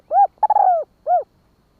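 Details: Spotted dove singing a single "kích bổi" phrase in the hạp bổi voice: a short hooted coo, a longer burry rolling coo sliding downward, then a final rounded coo, clean and close.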